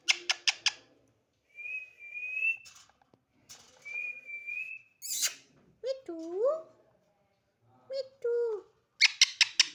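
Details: Pet talking parrot (mitthu), said to talk a lot: fast clipped squawks, two long level whistles, then bending speech-like syllables and a final burst of harsh chattering notes.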